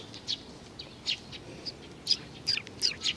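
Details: A handful of brief, high chirps from a young sparrow, spaced unevenly and growing busier toward the end.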